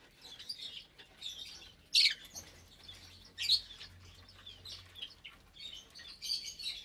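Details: Meal time for roughly 25 caged lovebirds of several colour mutations, some with chicks: ongoing soft twittering punctuated by sharp piercing shrieks about every one and a half seconds, with a low hum.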